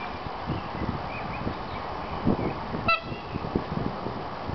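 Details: Tundra swan, the smallest white swan, living in a nature park, gives one clear, nasal, bugling honk near the end, with a few fainter calls earlier, over steady low rumbling background noise.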